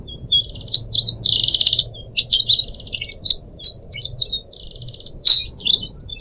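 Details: Caged Pied Triller from Indonesia, kept as a pet and used as a tutor for other birds: varied high chirps and buzzy trills in close succession, with one sharp click, over a low murmuring background.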